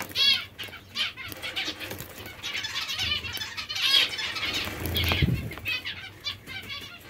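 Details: Hungry zebra finches give buzzy nasal begging calls in irregular bursts, with rustling and a low rumble around the fifth second.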